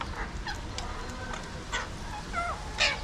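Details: Alexandrine parakeets, also called mountain or pahadi parrots, watched from a window in Mumbai, India: short, bent, squawking notes come every half second or so, ending in one loud harsh screech, with a low background hum.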